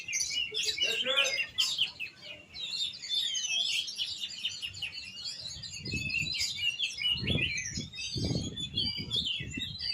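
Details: Caged oriental magpie-robin kept by Indonesian songbird hobbyists, singing a dense run of varied whistles and chattering notes with many quick phrases; low thumps and handling noise join in the second half.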